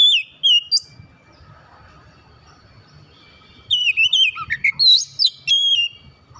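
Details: Oriental magpie-robin song, played to lure a silent, off-form bird back into singing. Clear whistled notes sliding up and down, a short phrase, a quiet pause, then a longer burst of varied wavy whistles and sharp chirps.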